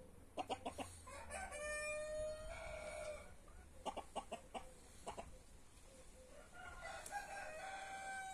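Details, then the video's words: Free-range roosters and hens of brahma, marans, naked neck and white star breeds in a back yard: bursts of short sharp clucks in clusters, with drawn-out harmonic crowing notes in between and later in the recording. "Free range roosters in back yard , brahma , marans , naked neck , white star"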